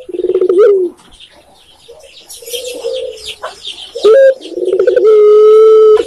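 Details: Spotted dove, known in Indonesia as tekukur, cooing: a low pulsed rolling phrase, a pause filled with soft chattering, then a clipped note and a long steady drawn-out coo.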